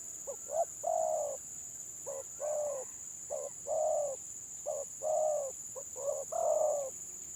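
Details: Village spotted dove, stuttering 'gagap' singer in a versus pairing: low coos delivered as a quick clipped note followed by a longer hollow coo, the pattern repeated about five times, over a steady high whine.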